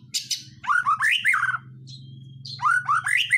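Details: White-rumped shama song used to provoke other birds into singing: varied rich phrases of slurred, rising and falling whistles with sharp high notes, a brief pause, then more phrases, over a steady low electrical hum.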